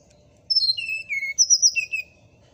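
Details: Morning song of a brown-chested jungle flycatcher: high clear whistles that step downward through several slurred notes, a brief pause, then a bright high phrase ending in lower falling whistles, with a quiet background hum.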